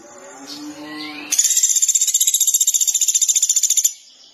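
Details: Sunda pygmy woodpecker, called pelatuk beras, calling actively: softer mixed whistles and a rising note at first, then a loud, fast, buzzy pulsed trill of about two and a half seconds that stops abruptly.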